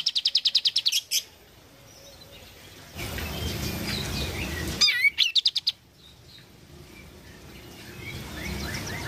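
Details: Oriental white-eye (kapas tembak) in lively song meant to restart a bird that has stopped singing. Quick string of bright, high chirps, a stretch of rustling background noise, then another fast twittering burst.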